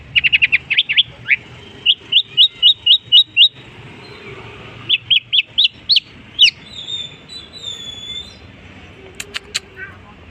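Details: Long-tailed shrike mimicking other birds: quick stuttering notes, then an evenly spaced series of sharp, rising whistled chips about four per second, a pause, further chips, and a few thin high ticks near the end.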